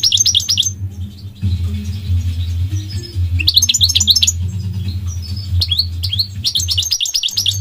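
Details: Goldfinch delivering fast, liquid twittering phrases at intervals, bright high chirps in clusters, while a male voice talks and a low droning hum runs throughout.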